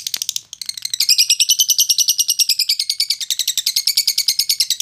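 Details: Training audio of lovebird song for fighter-class birds: after a short opening chirp burst, a long steady run of shrill, harsh chattering notes, about three per second, rising slightly in pitch.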